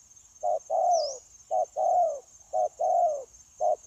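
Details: Wild-caught spotted dove used in dove trapping, 9/1/2024, giving an unbroken cooing run: brief low coo, then a drawn-out coo sliding downward, repeated rhythmically; a steady high electrical-sounding tone persists throughout.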